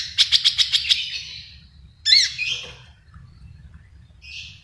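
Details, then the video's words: Long-tailed shrike in 'full isian' song: about six quick, buzzy, pulsed notes in a row, then a single loud harsh arched squawk after a pause, and a softer scratchy note near the end, over a low hum. "CENDET GACOR FULL ISIAN MEWAH SUPER"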